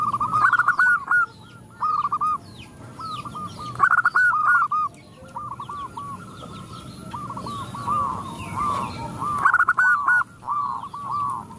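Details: Zebra doves answer a female calling for males; repeated bursts of rolling, stuttered cooing recur every second or two from several birds at once, over constant background noise and scattered high chirps.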